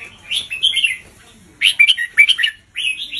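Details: Caged red-whiskered bulbul, a master teacher bird singing a slow, clearly spaced 'doubled' song style played to teach young birds: three bursts of warbled, chirpy phrases, bright and slurred, separated by short pauses.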